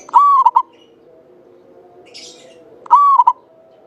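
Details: Zebra dove of local Javanese stock, singing keenly and used to stimulate other birds: two phrases of one long level coo ending in two quick short notes, separated by a brief high hissy sound.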